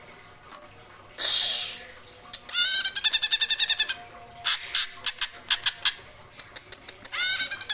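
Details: Greater green leafbird in the rolling 'geroll' singing style known as kopassus: a burst of noise, then fast repeated buzzy notes in rolling trills, broken into quicker clipped series and ending in another dense trill.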